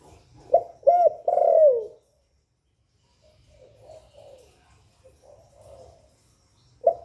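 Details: Spotted dove calling to stimulate other kept doves: one strong three-part phrase, a sharp note, a looped coo and a long descending coo, followed by soft quiet murmured coos and a final abrupt note.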